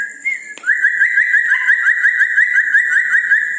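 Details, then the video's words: Loud, rapid run of short whistled notes from a red-breasted parakeet at night, each slightly rising and repeated about three times a second, following a sharp click and a brief lower whistle. "Nuri Paltem Gacor diMalam Hari"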